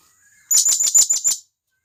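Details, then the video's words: A single rapid run of six sharp, very high squeaky notes given by a wild blue-crowned hanging parrot calling to its companions, lasting about a second, with silence after. "Serindit Gacor,Masteran Burung Serindit Ampuh"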